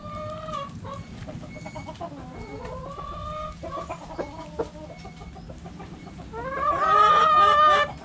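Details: Backyard coop with hens and roosters: drawn-out nasal clucks and tonal calls from several hens, then a loud rooster crow rising and holding near the end over soft background hum.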